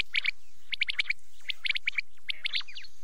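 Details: Quail (batair) heard at night: sharp, even-pitched notes given in neat triplets about every half second, with a faint buzzy trill from another caller near the end.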